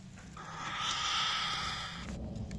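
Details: Cockatiel chirping: one sustained, even, harmonic-rich note lasting about a second and a half, followed by a low background rumble.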